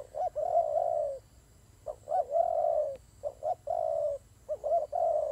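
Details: Turtle dove during a fight, giving low, hollow cooing phrases: a few short clipped coos followed by a longer, drawn-out rolling coo, repeated about four times in five seconds against a quiet background.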